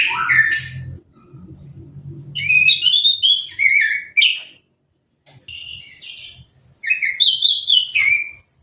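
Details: Recently moulted captive orange-headed thrush, sprayed with a hose to bathe and uncovered, gives sweet whistled song phrases of rising and falling slurs separated by short silences, with a faint low hum underneath.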